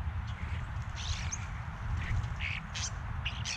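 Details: Several European starlings at a backyard bird feeder, recorded on a GoPro: a run of short, harsh, rasping calls, some rising into squeaky notes, over a steady low rumble.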